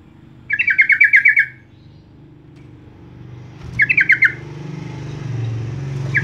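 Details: Sooty-headed bulbul lure call meant to spur other birds to sing. Two bursts of fast, harsh chattering notes, the first about a second long, the second shorter, over a steady low rumble like passing traffic.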